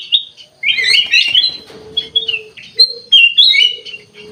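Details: Lively kutilang emas (ruby-throated bulbul) song: a dense chattering burst of high notes, then scattered sharp whistles and chirps, over a faint continuous low hum.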